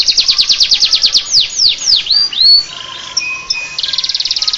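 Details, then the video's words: Canary song in prinia-like ciblek style: a rapid high chirping trill gives way to loud swooping downslurred whistles, a few sustained tones, then another quick trill. "Suara kicau burung kenari rasa ciblek"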